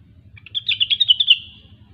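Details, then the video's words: Grey-cheeked bulbul (rengganis) giving a short 'gacor' phrase: about eight rapid, evenly spaced chattering notes lasting roughly one second. "Rengganis/Cucak Wilis Gacor"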